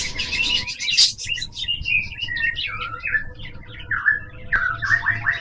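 A cockatiel chatters in a run of quick whistled notes that slide up and down.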